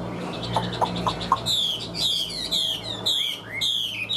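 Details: After a few soft taps, a kept Chinese hwamei, a sturdy bird described as a fine singer, pours out loud descending whistled phrases and rich warbling, each phrase sweeping downward, with brief pauses between, over low hum.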